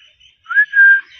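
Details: Green pet parrot giving a short whistle: a faint high note, then two loud, clear whistled notes that swell and hold steady, the second longer and slightly lower.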